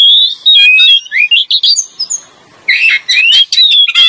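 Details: Oriental magpie-robin male and female, recorded as a lure; fast whistled warbling with rising slurs, a one-second lull, then a renewed burst of loud sweeping whistles and chirps.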